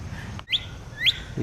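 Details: Two clear upslurred whistles from a male northern cardinal that flew into a yard in response to a played birdcall, with faint background hum.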